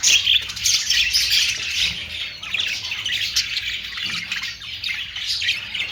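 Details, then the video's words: Australian parrots, or budgerigars, give a loud opening burst of squeaky squawks, then keep chattering with softer, buzzy twitters and chirps throughout. "Austrailian perrot sound"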